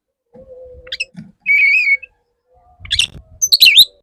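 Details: Male Oriental magpie-robin courting a female: a sustained whistled note with harmonics, preceded by scattered high chirps and followed by a burst of sharp, descending, buzzy notes, with faint low rumbling in the background.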